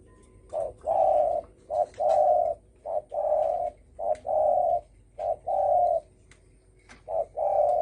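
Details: Steady stream of spotted dove coos in the 'dong tho sam' style, aimed at provoking other birds: six evenly spaced couplets, each a brief hoot followed by a longer level one, over a quiet hiss.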